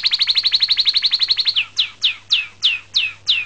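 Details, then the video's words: Canary singing a rapid, even trill of bright high notes for about a second and a half, then switching to slower, separate down-slurred whistles, roughly three per second, against a faint steady low hum. "Song by Canary"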